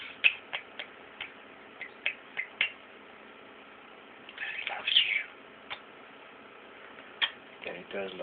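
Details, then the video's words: Talking European starling indoors with its owner, producing sharp clicks spaced irregularly, then a longer scratchy, wheezy warble mid-clip and a few more clicks, with the owner's voice speaking softly nearby. "Talking starling bird"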